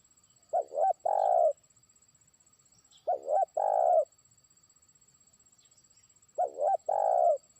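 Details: Spotted dove, a trained decoy bird, calling to a faraway rival: three phrases, each a quick double hooting note followed by a fuller, longer coo, repeated about every three seconds.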